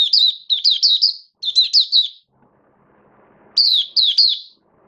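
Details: Caged oriental white-eye in build-up singing form on 19 September 2022, giving three quick bursts of high, chattering, downslurred notes, with a silent stretch and faint low sounds in the middle.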